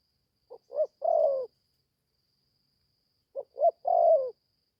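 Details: Spotted dove, a young bird newly started calling and on its first forest training outing, gives two separate phrases of two brief rising notes followed by a drawn-out, slightly descending coo, with a long silent gap between them.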